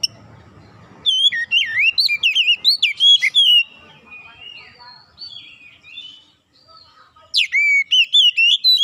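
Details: Oriental magpie-robin (kacer) singing as a lure to prompt a reluctant bird to sing. Energetic bursts of rolling, twisting whistles are followed by softer warbling, then a fresh run of loud chirped whistles.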